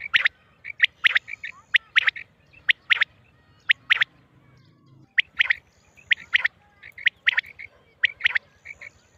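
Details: Mianwali quail-hunting recording of a female quail: rapid series of short, ringing chip notes in tight clusters, briefly pausing midway before resuming at the same pace.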